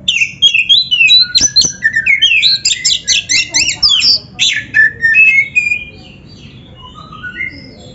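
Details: Kacer, the magpie-robin, singing as a master recording to train other birds: rapid run of sharp whistled and buzzy notes for about five seconds, then fading into softer scattered whistles over a low background hum.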